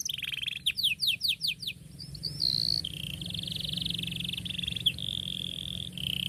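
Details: Domestic canary singing a long, lively song used as a tutor to teach young canaries: quick rising chirp series, then sustained high whistled notes and buzzy held tones, with a steady low hum in the background.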